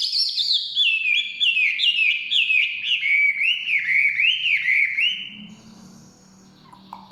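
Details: Forest-dwelling Chinese hwamei sings a fluid series of clear, looping whistles that step gently downward, about four notes a second, before the song stops and leaves a quiet low hum.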